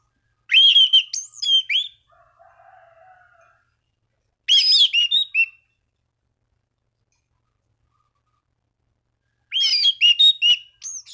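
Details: An orange-banded thrush challenging rivals, singing to stimulate other thrushes; three bursts of fast, jumbled whistles and twitters separated by long pauses, a faint low murmur after the first.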